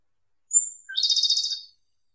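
A Japanese robin gives a thin, very high opening note, then a fast rattling trill of about ten pulses, bright and metallic, over in under a second.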